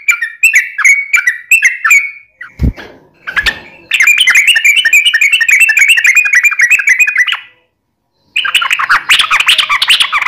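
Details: Yellow-vented bulbul song used as a lure to make other birds respond: short whistled phrases, two thumps, then a long rapid chattering run and a final dense, harsh burst.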